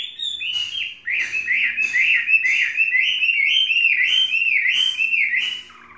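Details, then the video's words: A tame three-season Chinese hwamei delivers a sustained, loud warbling song of rolling whistles and quick chattering accents after a short opening phrase, fading at the end. "Hoa mi hót cực hay"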